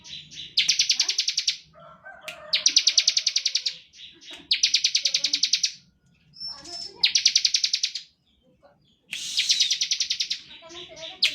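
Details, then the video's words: Bar-winged prinia in steady ngebren song, played to provoke other prinias into singing. Five shrill, rapidly pulsed trill bursts come roughly every two seconds, with a few softer chirps between them. "Ciblek gacor ngebren standar - Pancingan untuk ciblek"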